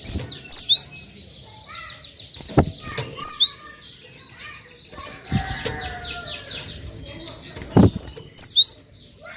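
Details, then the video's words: Cinereous tit calls played to lure other birds into singing: repeated groups of two or three high whistled notes recur every few seconds, amid busy chirping and a few lower whistles from other birds and occasional thumps. "PANCINGAN BURUNG GELATIK BATU"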